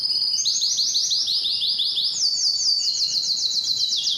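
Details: Canary giving a continuous bright song of rapid repeated chirps in high trilled runs, each run at a slightly different pitch, with no pauses.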